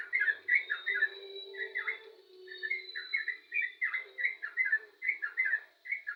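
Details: Yellow-vented bulbul pouring out fast, chattering whistled phrases, liquid notes tumbling in quick groups with a brief lull mid-way; soft low hum underneath.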